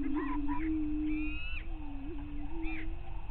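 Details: Greater prairie chicken lek, dawn on May 9, 2023, near Glyndon in northwestern Minnesota's Bluestem Prairie: low humming boom drone with a brief gap, plus clear higher cackling notes and a rising whoop.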